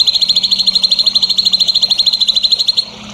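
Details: Songbird voice from a masteran meant for young competition birds: a steady, very rapid, high chattering trill continues for nearly three seconds, then breaks off into quiet hiss.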